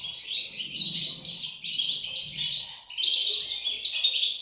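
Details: European goldfinch chicks twitter in shrill, overlapping bursts, a brief dip near three seconds before the chorus resumes louder, with soft low rumbling early on.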